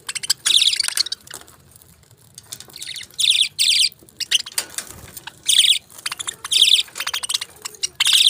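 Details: Budgerigars chirping in short bright warbled bursts spaced one to two seconds apart, with quieter clicks and rustling between them.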